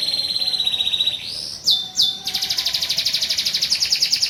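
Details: Canary singing a master recording meant to train other canaries to sing and roll: a high steady trill, two quick upward-sweeping whistles, then a rapid pulsed rolling trill repeated many times per second.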